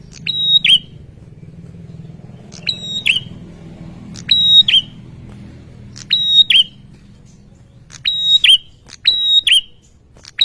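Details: Bar-winged prinia male, vigorous song aimed at drawing quick answers from rivals: paired piercing whistled phrases, each starting with a tick and ending in a falling twist, separated by short gaps, with faint low rumble early on.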